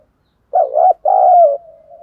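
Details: Decoy spotted dove in Vietnam calling to challenge and draw in wild rivals, giọng thổ voice style; one strong two-part coo, a wavering first note then a longer steady note, trailing into a soft sustained hum.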